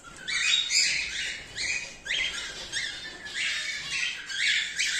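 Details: Breeding colony of cockatiels, cream-face ino and normal grey, in the 2024/2025 season, giving repeated harsh screechy squawks, overlapping in bursts roughly every second.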